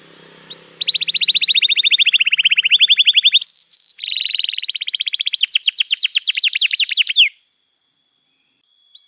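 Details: Extended canary song for training young canaries and restarting silent ones: a long fast trill of high notes dipping slightly in pitch, a brief pause with a steady whistle, then a higher, brighter rolling trill that stops abruptly.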